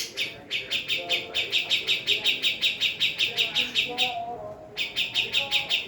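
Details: Female Javan cucak jenggot giving a rapid series of short, sharp, high chirps, about three per second and evenly spaced, with a brief pause near the fourth second before the series resumes; faint lower tones murmur underneath.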